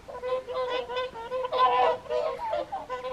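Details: Whooper swans at the evening feed, Folly Pond, WWT Caerlaverock, January; a series of nasal, trumpeting honks, several overlapping, with a louder cluster near the middle.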